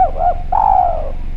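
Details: Spotted dove (derkuku Jawa) calling in a clear voice for use as a lure: a short pair of soft coos followed by one long, level-then-falling coo.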